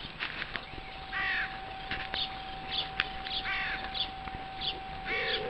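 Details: Crows at a zoo on Pentecost Sunday morning: harsh, rasping caws, each about half a second long, repeated three times at roughly two-second intervals. Faint chirps, clicks and a steady high background tone run underneath.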